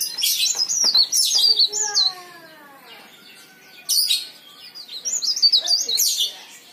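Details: Lively leaf warbler song, recorded as a lure to prompt other leaf warblers to sing: fast high squeaky twitters in two bursts, with a lower bird's descending, ringing notes heard between them.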